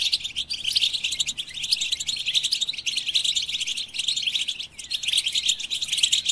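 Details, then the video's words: European goldfinch song, likely a caged bird: a dense, fast run of twittering, buzzy chirps and trills packed high in pitch, flowing almost without pause, with brief dips near one and a half and four and a half seconds. "Collective Motivation for the Goldfinch With the Best Melodies"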